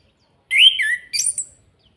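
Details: Kretekan call of an orange-headed thrush from Salatiga, meant to stir other birds to sing: two loud, rasping, slurred notes, then a higher, scratchy chatter, all within about one second, in a quiet setting.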